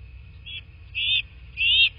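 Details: Bald eagle at a nest in a quiet landscape of southwest Florida, captured by a nest camera on 29 February 2024 around 10 a.m.: three high, thin whistled notes, short then longer, with a faint low rumble beneath.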